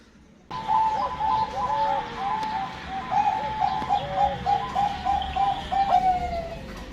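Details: Male zebra dove, Bangkok perkutut type, singing to stimulate a female: a long run of rapid, clipped cooing notes, about three per second, steady in pitch with brief bubbling flourishes, over faint background hiss.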